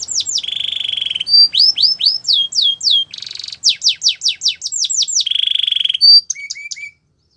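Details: Canary singing for training: rolling series of falling whistles alternate with steady buzzy trills and a short burst of dry chatter, phrases changing every second or so, ending in a few soft rising notes before silence.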